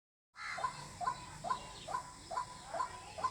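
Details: White-breasted waterhen call used to lure birds for hunting: a steady run of short, sharp notes repeated about twice a second, with faint background hiss.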